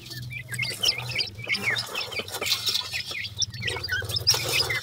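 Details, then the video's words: High, thin cheeps from grey francolin chicks scattered through steady hiss, some notes rising and some falling, over a pronounced low droning hum. "dakhni teetar chicks ki sweet boli"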